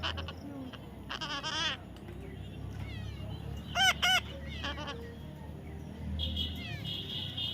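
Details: Baby parrot during taming: a burst of rasping calls, then a louder pair of harsh screeches midway, and buzzy notes at the end, over steady background noise and low rumble.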